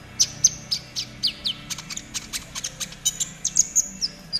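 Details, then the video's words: Caged-bird training song of a konin, trotol variety: a continuous chatter of crisp high chirps roughly every quarter second, interspersed with thin downslurred whistles. "TERAPI KONIN TROTOL AGAR CEPAT BUNYI || MASTERAN KONIN TROTOL GACOR"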